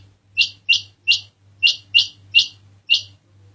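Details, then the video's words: Loud ringing quail notes, each a short buzzy burst with a falling tail, repeated seven times at fairly even spacing over a constant low hum. "Dhoghla Batair Ki Awaz | Harlequin Quail Calling | King Quail Calling | Female Rain Quail Calling"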